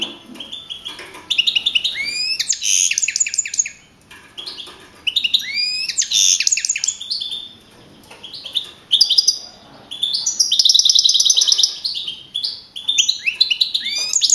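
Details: Caged European goldfinch, a young male, that took first place with 42 points in a singing contest on 15 April 2012 in the Madrid region, Spain; bursts of bright twittering song with buzzy trills and quick rising notes, separated by short pauses.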